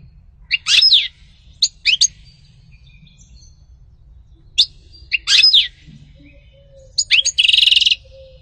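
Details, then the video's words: European goldfinch (local names sṭila, umm qnin) in song: sharp, high, downward-sweeping notes in short clusters, ending with a harsh, buzzy, rasping trill; a faint low hum runs underneath. "غناء عصفور الحسون سطيلة ام قنين صوت طاير"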